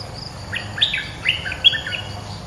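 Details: Bulbul song played as a trapping lure: a rapid, bubbling phrase of bright whistled notes that jump up and down in pitch, lasting about two seconds, with faint insect hum behind.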